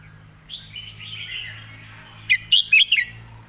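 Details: Red-whiskered bulbul in "master song" style with beautiful phrasing: soft warbling at first, then a loud, quick series of four or five bright, sharp chirped notes, with faint low hum beneath.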